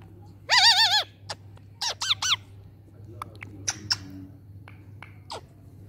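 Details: Ring-necked parakeet talking: a loud, wavering, harmonic-rich phrase lasting about half a second, then a shorter pair of warbled syllables, followed by scattered sharp clicks and soft chirps over a low steady hum.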